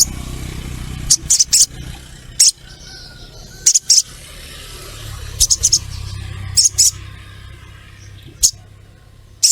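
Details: Female crimson sunbird calling to a male, used as a lure: scattered very high, sharp double and triple chirps separated by gaps, over a soft low rumble of background noise.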